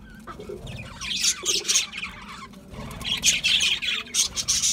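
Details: Budgerigars feeding on a seed mix give two spells of busy, harsh chirping and squawking, the second louder and denser, with a short quieter gap between them.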